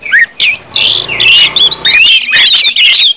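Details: Orange-headed thrush in full 'ngeplong' song, used to stimulate other birds to sing. Rapid, varied whistled phrases run almost without pause, with slurred notes sweeping up and down and faint squeaky chatter in between.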